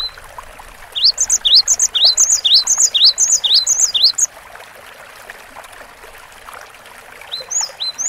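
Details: Cinereous tit in lively song on a long training recording: a fast series of sharp rising-then-high whistled pairs for about three seconds, a pause with soft hiss, then a few more phrases starting again.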